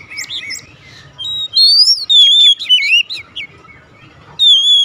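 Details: Kacer 'nembak' song from an Oriental magpie-robin: after a few scratchy notes, a strong sustained whistle gives way to wavering, descending warbles, then a final clear whistle, with faint low noise behind.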